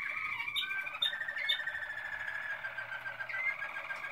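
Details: Waterslager canary of the Malinois type singing in 2016: sustained liquid rolling trills holding level pitch, broken by a few sharp clicks, with a brief bright rising whistle near the end.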